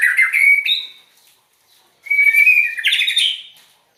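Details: Strange-sounding song of a white-rumped shama: a high, rich whistled phrase about one second long, a pause, then a longer sliding whistle ending in harsher, buzzier notes.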